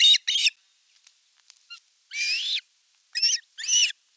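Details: Osprey nest in western Finland's Satakunta region, 5 August 2024, during a fish delivery as the elder chick attacks the younger; a few loud, high, rasping squeals, one rising, between quiet stretches.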